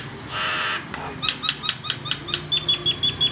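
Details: Captive Nias hill myna giving a lure song to set other birds singing: a rasping burst followed by evenly spaced sharp notes, ending in a run of high clear whistles.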